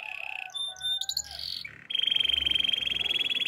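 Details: Russian canary singing: varied whistles and slurred notes at first, then a sustained, fast rolling trill at mid pitch, with faint room noise and low hum.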